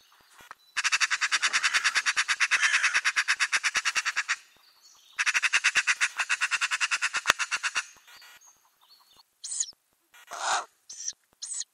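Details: Ural owl nest box with owlets, spring 2020: two long, rapid, even rattles of harsh pulses, each lasting several seconds, followed by short hissy squeals and a few thuds.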